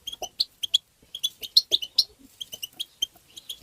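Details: Goldfinch tabtaba song used to stimulate goldfinches: a fast stream of sharp, bright chirps about two per second or more, unevenly spaced, with occasional lower squeaky notes mixed in.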